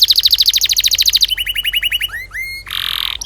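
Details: Canary with a long, lively song intended to train young canaries: a fast high trill, a slower lower trill, two rising whistles, then a rough buzzy roll.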